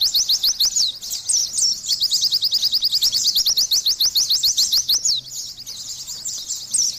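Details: Energetic Oriental white-eye singing, a continuous stream of sharp, high upward-slurred notes delivered in quick succession, with a few longer swooping whistles mixed in.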